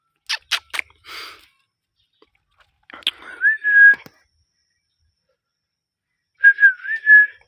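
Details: Pet parrot opening with a few sharp clicks and a brief rasp, then a clear whistled phrase that bends up and levels off, followed after a pause by a wavering, warbled whistle; quiet room.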